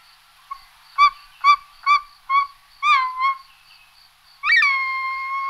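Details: Short-toed snake eagle calling with rich, honking whistled notes, four evenly spaced short ones, then a doubled note. A long, loud, sustained call with a sharp start closes the sequence.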